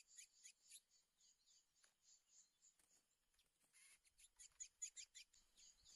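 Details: A male Chestnut-bellied seed finch, a borrowed decoy bird used in trapping during the 2024 season, sings a fast run of high, thin whistled notes in quick bursts as it challenges a rival; no other clear sounds.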